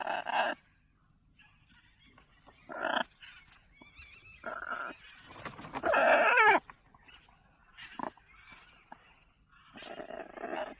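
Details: Male pet lorikeet in a kitchen uttering short, rough, scratchy squawks every second or two, with one longer, louder wavering screech in the middle and quieter chattering notes around it.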